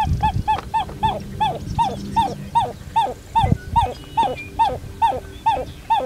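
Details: Pied-billed Grebe repeating loud, downslurred hollow notes roughly two or three per second in a steady rhythm, with low rumbling noise underneath.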